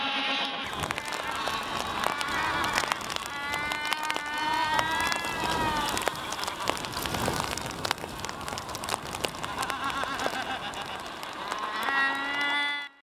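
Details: A colony of black-browed albatrosses in the Falkland Islands, December 2014–January 2015, gives harsh, nasal, bleating brays overlapping continuously, mixed with sharp clacks and steady colony and wind noise.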